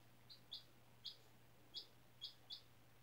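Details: Indoors on freshly changed bedding, a 4-day-old chick hatched April 17 in a school incubator calls with clear, piercing high peeps, six in three seconds at an uneven pace, a faint hum behind.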